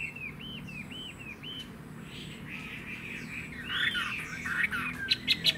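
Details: Caged Chinese hwamei singing: a run of four quick, arched whistled notes repeated in a row, then a softer varied warble, followed by a louder burst of sharp, bright notes and clicks at the end over a low background hum.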